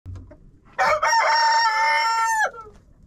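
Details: Chicken inside a friend's coop, recorded with a GoPro: one loud rooster crow of about 1.7 seconds, opening with a rough burst, then holding a long steady harmonic note before dropping off at the end; faint background rustling.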